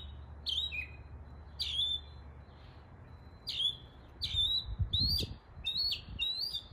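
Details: East Tennessee mockingbird copying calls of area birds: sharp downslurred chips and clear whistled notes, spaced irregularly, some doubled, with a soft low rumbling noise near the end.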